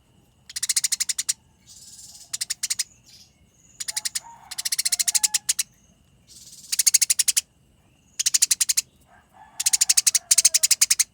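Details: Eurasian tree sparrow fight chatter: repeated clusters of quick, crisp chirps with softer hissy twitters and faint whistled tones between the louder volleys.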